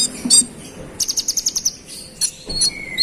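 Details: Konin (brown-throated sunbird) singing hard to provoke rivals: a quick series of seven even, high buzzy notes, then sparse thin chirps and a lower drawn-out whistle at the end.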